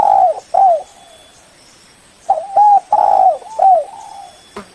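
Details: Spotted dove giving a lure call to summon a rival: low, hollow coos, short rising notes followed by a longer drawn-out coo, in bursts separated by quiet gaps, over a faint steady high hiss.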